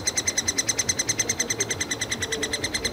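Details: Begging nestlings of the three-toed woodpecker in a nest hole in a Yekaterinburg forest park: evenly pulsed high shrill squeaks, roughly eight per second, continuous and loud.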